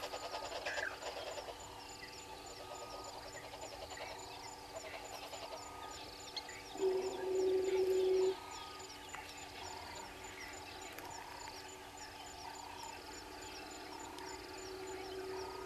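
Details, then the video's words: Red-billed hornbills at Gowrie dam waterhole, Djuma Game Reserve, Sabi Sand Wildtuin, South Africa, early morning at 06:32: a steady series of hollow, clucking notes about three per second, with a loud buzzing burst midway and soft background birds. "Red-billed Hornbills below cam"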